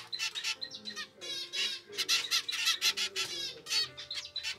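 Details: Zebra finch chick, a normal grey youngster raised by pied parents in captivity, begs for food in an unusual way: insistent scratchy rasping calls repeated several times a second in uneven bursts, with faint background rustle.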